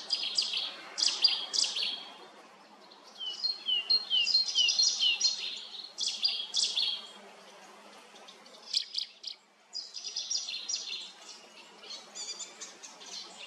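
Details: Cetti's warbler singing at Lake Kerkini in Greece in 2022, hard to see as it climbs nimbly through bushes. Several loud, abrupt bursts of sharp repeated notes come one after another, each separated by short pauses.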